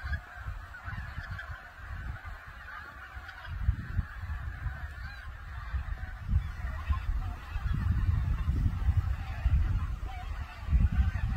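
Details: A large flock of wild geese at Cheonsu Bay in winter honks continuously in a dense, overlapping chorus of nasal calls, over a steady low rumble of wind.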